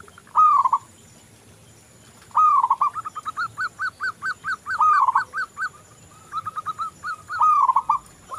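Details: Actively singing local zebra dove, a lure recording meant to set other doves singing: arched rolling coos alternating with rapid runs of short, evenly spaced staccato notes, repeated in several phrases.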